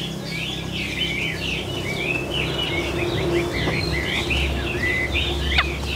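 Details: Caged Chinese hwamei kept as a songbird, singing a run of quick whistled phrases with slurred and rising notes over a constant low rumbling background noise.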